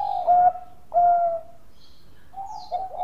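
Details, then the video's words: Bangkok-type zebra dove song used as a lure to provoke other doves to sing: a low mellow coo, then a second sustained steady coo, then a softer rising note, with faint high chirps behind. "PANCINGAN PERKUTUT BANGKOK GACOR SUARA MAS"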